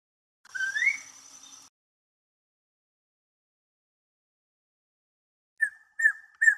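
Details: Watkins's Antpitta at Urraca Lodge, hopped up from the ground into a tree and calling loudly, perhaps at the observer: a mid-pitched whistle sliding upward, then after a pause three short clear whistled notes about half a second apart.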